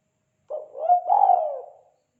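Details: Spotted dove, kuk 2 call type meant for luring and training: one drawn-out, soft coo that rises slightly, then slides gently downward and fades.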